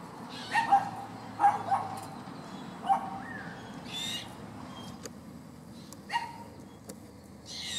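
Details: A young white-winged chough, moving with a group of adults across a park at Nanango, Queensland, gives short, nasal, mid-pitched squawks at irregular intervals, some in quick pairs, with soft rustling bursts and a steady low hum.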